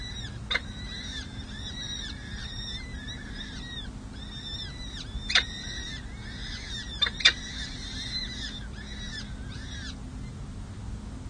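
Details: At a city hall nest in San Jose, four peregrine falcon chicks under a week old call while being fed, 7 May 2024. Shrill, curved squeals tumble over one another for about ten seconds, with scattered clicks and a constant low drone.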